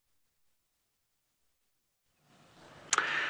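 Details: Near silence for two seconds, then a rising hiss of outdoor noise with a single sharp click near the end.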